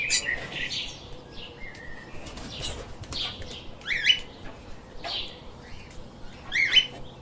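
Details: Lovebirds chirping as pets, with soft wing flutters: sharp rising chirps and brief twitters come in small bursts roughly every one to two seconds, some with a squeaky, slurred quality.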